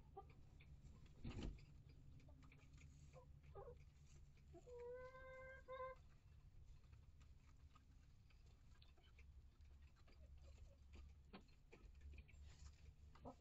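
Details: Backyard coop flock of one-year-old hens and newly integrated chicks, live camera; after scattered taps and bumps, a single nasal, tonal call held about a second and a half, stepping slightly in pitch, against steady low hum.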